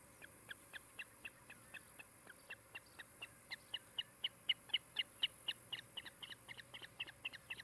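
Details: Osprey at its nest in Charlo, Montana, on a nest cam, afternoon of 16 July 2018. A quick, even series of thin, high whistled notes, about four per second, swelling in the middle and then easing off.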